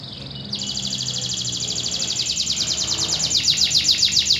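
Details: Singing local Indonesian canary: a faint opening note, then a strong, fast trill of high repeated pulses that grows louder and more spaced toward the end, over a low hum.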